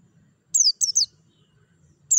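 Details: Several quick descending chirps from a white-eye, bright and high-pitched, grouped in a short burst with one more note after a pause. Soft low rumble underneath. Meant to stimulate singing.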